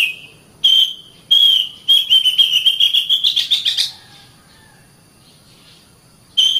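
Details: Oriental magpie-robin, caged, for morning or afternoon training: long sustained whistles, then a rapid rising run of sharp notes, a pause, and a final whistle.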